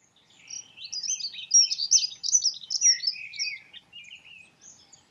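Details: Dunnock singing a fast, jumbled, high-pitched warble of squeaky notes that lasts about two and a half seconds, followed by a few fainter, scattered notes.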